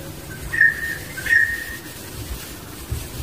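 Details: Wild barbet, with its young nearby, gives two drawn-out whistled notes less than a second apart, each sharply accented at the start, then quiet outdoor background with faint low thumps.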